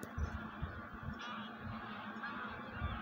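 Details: Flock of wild geese preparing to migrate, a constant wash of overlapping nasal honks from many birds, with low rumbling thumps beneath.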